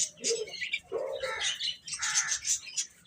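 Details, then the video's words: Baby chickens eating and playing, giving short, busy chirps and peeps in quick bursts, mixed with sharp, crackly pecking and scratching noises. "Baby Hen Chirping Sounds"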